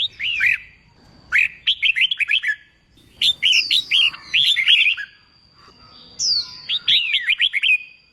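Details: Red-whiskered bulbul trained for singing competitions, giving repeated lively phrases of looping, liquid whistles, four bursts over eight seconds, with a faint steady high tone behind.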